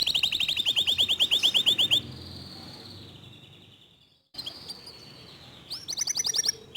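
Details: Local canary in fast, tight 'tembakan' song: two seconds of clear, rapidly repeated whistled notes, then a fading whistle, a short silence, and scattered chips before a closing burst of quick high notes.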